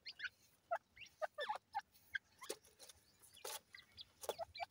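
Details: Feeding grey francolin chicks utter brief, clear, high peeps at irregular intervals, roughly two to three per second. Sharp tapping clicks sound in between.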